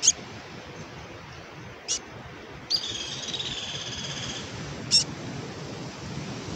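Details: Raspy call from black-capped chickadees: brief high sharp notes spaced about two seconds apart, with one drawn-out buzzy, hoarse note lasting nearly two seconds in the middle, over soft low background noise.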